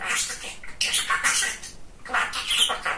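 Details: Chatty pet male budgerigar: continuous scratchy, speech-like babble with squeaky rising notes, broken by one short pause near the middle.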